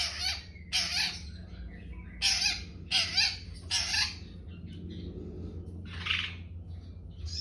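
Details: Young long-tailed shrike delivering a run of grating, scratchy bursts in quick succession, then a pause and one softer buzzy note, over a faint low hum.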